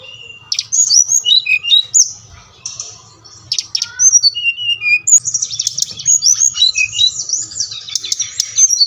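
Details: Brown-chested jungle flycatcher song, used to urge caged birds to sing: varied high whistles and chattering notes, growing into a dense continuous warble in the second half, faint low hum underneath.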